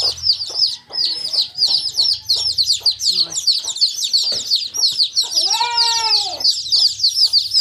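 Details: A flock of young chicks chirping in rapid high peeps, layered and overlapping. A lower, drawn-out harmonic call rises and falls toward the end, with light clicking throughout.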